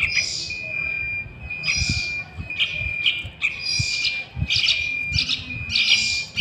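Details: Sooty-headed bulbul chick, a lure recording for wild birds, producing rough squawking hisses and short chirps in uneven bursts, with low thumping background noise and a steady high whine.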